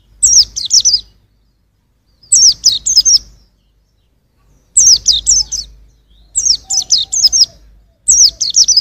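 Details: Songbird tutor recording of a white-eye (pleci): five quick phrases of high, descending, tightly spaced chirps, each phrase about a second long with gaps between, over a soft low rumble.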